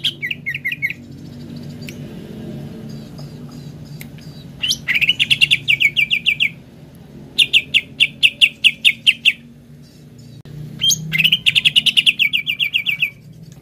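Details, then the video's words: Greater green leafbird song, used as a lure to get kept birds singing: bursts of rapid, bright, repeated chattering notes, several a second, in spells of one to two seconds with pauses between, over a faint low hum. "RUTIN PANCING CUCAK IJO ANDA DENGAN INI AGAR CEPAT GACOR"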